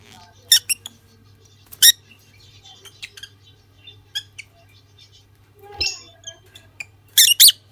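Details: Chirps from a pair of lutino lovebirds: scattered piercing squeaks and short clicks spread across the recording, one rougher burst in the middle, and a doubled shrill screech at the end over a faint hum.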